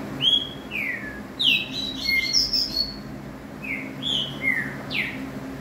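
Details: Green-winged saltator giving bright whistled phrases: downslurred notes, a quick cluster of high twittering whistles, then a few separate rising and falling slurs, set against a low steady hum.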